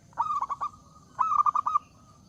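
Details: Zebra dove with a loud song said to invite rivals to sing: two quick bursts of three to six rolling cooing notes, the second burst a little longer.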